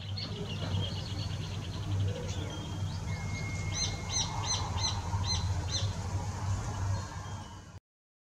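A rufous hornero gives a run of sharp, high, ringing notes, about three a second, after softer chattering, over a steady low rumble.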